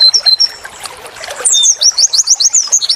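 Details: Pleci white-eye training song, wit wit tulit tulit: a few thin whistles over noisy background, then a quick series of high slurred trill notes.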